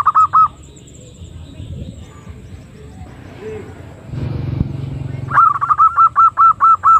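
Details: Female zebra dove call, a lure for trapping birds: brief bursts of clipped, repeated cooing notes at steady pitch, a quiet gap filled with low hum and rumble, then a longer rhythmic series of the same notes.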